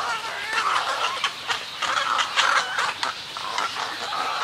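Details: Snowy egrets in a colony, recorded at close range, giving colony and greeting calls: a dense run of harsh, raspy croaks overlapping one another, several per second, with a steady background hiss.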